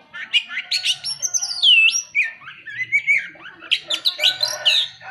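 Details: Oriental magpie-robin (kacer) in full, lively song, used as a lure to provoke other magpie-robins into singing: rich varied whistles, sweeping slurred notes and rapid buzzy trills, with a faint low hum underneath.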